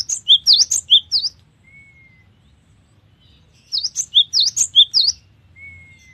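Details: Cinereous tit (gelatik batu) singing actively ('gacor'): two rapid bursts of bright two-pitched notes swinging high and low, with a thin drawn-out whistle in the pauses between them.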